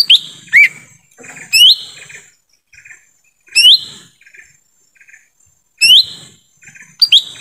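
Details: Lure call of a lesser green leafbird in forest, used to attract wild birds: five loud swooping whistled phrases spaced about a second or more apart, with near silence between.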